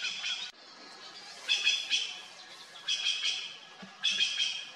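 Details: Red-billed blue magpies, a noisy trio of crow-family hill birds feeding in fruiting trees near Mussoorie, India; harsh bright calls in repeated bursts around one and a half, three and four seconds, over faint background hiss.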